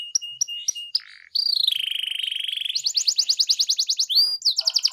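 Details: Gacor canary used as a lure to make quiet canaries sing: clipped paired notes, a low dry rattle, a long steady buzzy trill, then a rapid roll of bright chirps and a swept whistle.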